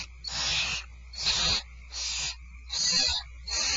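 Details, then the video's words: Barn owls at Starr Ranch during dinner time on 2/1/12 give rasping, noisy hisses. Four long bursts in under four seconds, each lasting about half a second, with a steady low hum underneath. "Starr Ranch Barn Owls Dinner is served"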